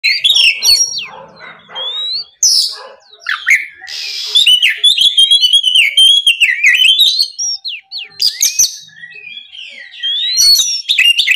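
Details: Oriental magpie-robin singing loud and continuous in the morning, played to provoke rival birds into song: rapid sweet whistled notes, rising slurs and harsh buzzy bursts tumble together almost without pause, with brief quieter gaps.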